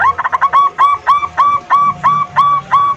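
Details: Local zebra dove singing, played as a lure for birds that have stopped singing: a burst of rapid clipped notes, then evenly spaced rising-falling coos at about three per second, with a low hum underneath.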